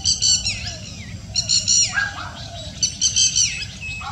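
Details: Fulvous-breasted woodpecker heard on a Thursday evening, 23 May 2019: harsh, nasal notes with stacked overtones in short bursts about every one and a half seconds, some ending in a falling tail, over a steady low background hum.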